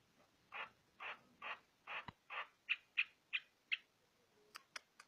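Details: White-eyed Javan myna song used for training other songbirds: a run of about nine harsh, rasping notes at roughly half-second intervals, the later ones sharper, followed by a few dry clicks.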